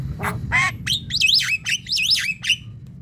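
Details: A Javan myna gives harsh, grating squawks mixed with loud, looping whistles that rise and fall, several notes packed into three seconds over a low background hum; the recording is meant for luring other Javan mynas.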